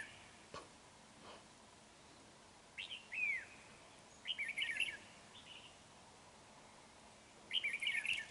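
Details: Decoy red-whiskered bulbul singing during trapping, recorded 31 January 2019 in Vietnam; three separated bursts of quick, chattering, warbled phrases, one with a clear down-slurred whistle, against a quiet background with a few soft knocks.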